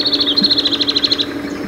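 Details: Shining sunbird recorded in its natural arid desert habitat, giving a fast, even, high-pitched trill of about sixteen pulses over a little more than a second against a steady low hum.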